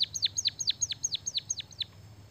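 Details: White-headed munia in full song with canary-style fill-in: about eight loud, sharp whistled notes, each sweeping steeply down from high pitch, delivered evenly about four per second.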